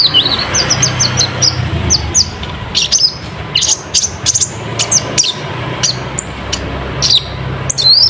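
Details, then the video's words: Energetic olive-backed sunbird (kolibri ninja) song, kept to prompt juvenile sunbirds into singing. High, bright chirps and short whistled slurs come in hurried runs, mixed with clicking ticks over a low background hum. "Burung Kolibri Ninja Gacor Untuk Pancingan Konin Trotolan, Isian Kasar Jernih"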